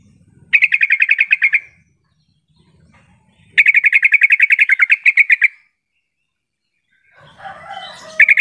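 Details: Sooty-headed bulbul lure call, used to make lazy caged bulbuls answer and sing. Two loud bursts of fast, even chattering notes, each about a second long with roughly a dozen pulses, then a softer jumbled warble over a low rumble.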